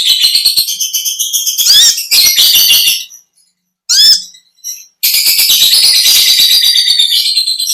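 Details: Olive-backed sunbird in vigorous long-chatter song: fast high trilling and twittering, a silent gap broken by a quick upward-swept whistle, then another sustained dense run of rapid shrill ticks.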